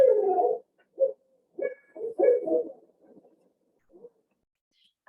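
Barred Owl giving a run of deep, uneven hoots in bursts, loud at first, then trailing off into softer notes; a sharp noise cuts in at the end.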